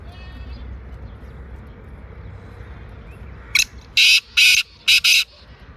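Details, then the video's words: Black francolin calling in Sindh, Pakistan: after a quiet stretch of low rumbling background, a burst of four or five loud, harsh, grating notes comes in a rapid, uneven sequence. "Kala Teeter"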